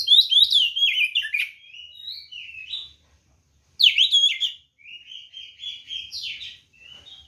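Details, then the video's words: White-rumped shama fighting song used to stir up rival birds: two loud bursts of rapid warbled whistles, each trailing into softer, drawn-out whistled phrases, over a very quiet background. "SUARA BURUNG kacer gacor NGEPLONG TARUNG ini paling AMPUH buat PANCINGAN kacer NYAUT EMOSI"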